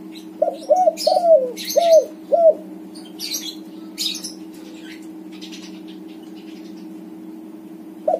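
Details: White-coloured backspot spotted dove, used to stir silent doves into cooing: one quick five-coo phrase in the first seconds, the middle coo longer and falling, then quiet with rustling and chirps, a lone coo at the end, low hum throughout.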